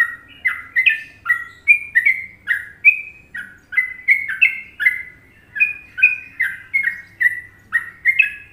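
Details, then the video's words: Sooty-headed bulbul from Indonesia giving a Trucukan-style master song: clear whistled two-note phrases, falling then rising, repeated roughly every half second in a steady, lively run with no other sounds. "Masteran Trucuk Indonesia"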